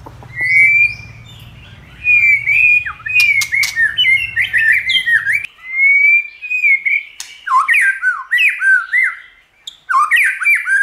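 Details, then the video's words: White-rumped shama song in many voices, used to stimulate other shamas to sing: long clear whistles lead into rapid tumbling phrases of slurred notes and clicks, broken by short pauses. "Kích Chòe lửa hót nhiều giọng"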